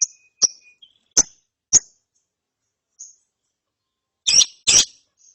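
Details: Young lovebird chick chattering after training: sharp, very high chirps and clicks in short separate bursts, a pair of louder buzzy chirps near the end, silence between them.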